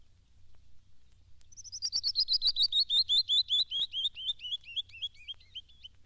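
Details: Canyon wren of the Southwest singing its descending scale: about twenty clear whistled notes starting high and fast, sliding steadily down and slowing toward the end.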